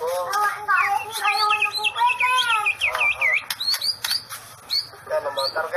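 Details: 'Sambaran listrik' (electric strike) style song of a white-rumped shama: dense, fast phrases of bright rising and falling whistles, looping slurred notes and chirps, continuous and varied throughout.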